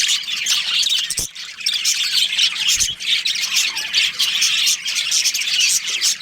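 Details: Budgerigar colony of breeding birds, with dense, overlapping high chirps and harsh squawks that fill the whole stretch, and two brief low thumps.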